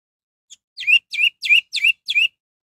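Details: Orange-headed thrush singing in a vigorous bout, used to provoke other birds of its kind into singing: six sharp, rising-falling whistled notes in quick succession, each with a bright upper overtone, on a silent background.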